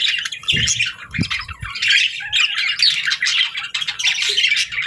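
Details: Several budgies chirp and squawk in continuous overlapping chatter, harsh and warbling, with a few low taps near the start.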